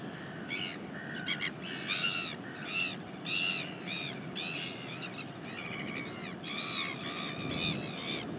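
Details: Northern royal albatross in New Zealand, 19 January 2021: dense bursts of harsh, harmonic, arching calls repeated rapidly in short runs, with steady wind rumble underneath.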